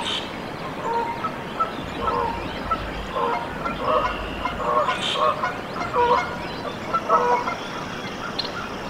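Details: Canada goose at a nest where goslings have hatched, Decorah, Iowa, USA, 14 April 2024; short nasal honks repeat in uneven runs about every half second to second, over steady background hiss with a few faint high chirps.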